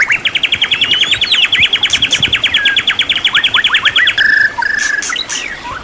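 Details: Champion-class white-rumped shama song used as master training material, full of mimicked phrases (isian): a fast, even trill of sharp repeated notes for about four seconds, then a few short whistles and buzzy notes.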